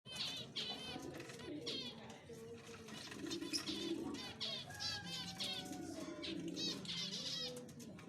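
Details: Zebra finches bathing, giving rapid repeated nasal, harmonic-rich calls in bursts; a lower cooing voice from a dove-like bird runs underneath, with faint background noise.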